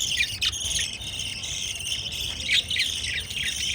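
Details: Shrill, constant twittering of pet lovebirds feeding chicks, with dense buzzy notes and occasional sharper squeaks standing out above the chatter.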